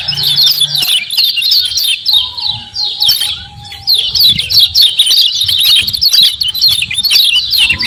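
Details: Common iora calling fast, a 'ciak ciak' lure meant to get ioras responding and singing: dense bursts of high twittering chirps, a brief lull near three seconds, then renewed chatter.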